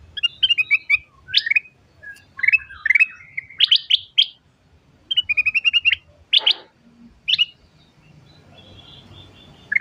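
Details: Black-capped bulbul (ketilang emas) singing nonstop in the ngacor tembakan style: sharp whistled notes and short trills around mid-high pitch, delivered in rapid bursts with brief pauses, ending in a faint buzzy rattle.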